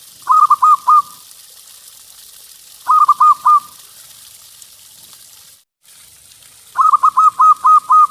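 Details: Local zebra dove song: three phrases of rapid, evenly pitched staccato coos, four or five notes in each, with gaps of about two seconds between them and a faint steady hiss.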